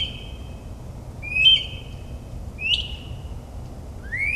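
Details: Mockingbird singing at midnight in New Jersey suburbs, imitating other species: varied whistled notes, one level, one sharply rising and fading, then another rising slur, spaced a second or more apart over quiet rumble.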